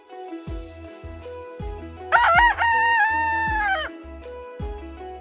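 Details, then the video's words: Rooster crow in the middle, a loud, wavering, harmonic call held for nearly two seconds, over music with a regular thumping beat throughout. "Rooster Crowing Compilation 2023 || Natural Rooster Crowing Sound Effects"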